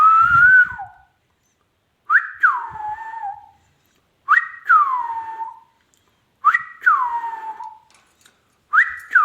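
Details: Ringneck parrot (rose-ringed parakeet) talking: five clear whistled phrases about two seconds apart, each jumping up sharply and then sliding down in a smooth falling tone, with a faint low thump near the start.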